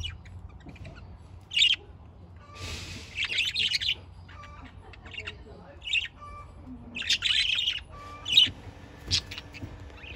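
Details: Budgerigars give scattered buzzy squawks and chirping bursts, with short clear whistled notes between them, against a quiet background.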